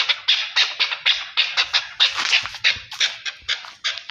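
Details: Rapid, scratchy clucking from a Chukar partridge linked to Pakistan, each note short and harsh and repeated about three times a second, with a faint low rumble beneath.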